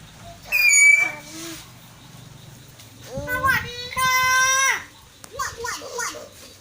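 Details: Talking common hill myna, one of four sibling birds kept together, imitating human speech: strained, whistly, speech-like syllables with bright harmonics in two bursts, amid a woman's voice and faint music.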